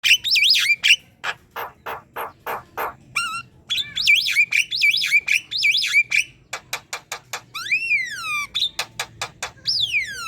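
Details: Black-winged myna in lively, continuous chattering song used as a tutor recording for training other birds: rasping broadband bursts mixed with looping whistled phrases, rising and falling slurred whistles and quick repeated notes.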